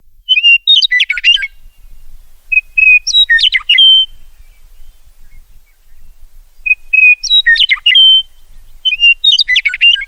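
A meadowlark sings four short phrases about two seconds apart. Each opens with clear, high whistles and breaks into a quick, gurgling jumble of notes. Nothing else is heard.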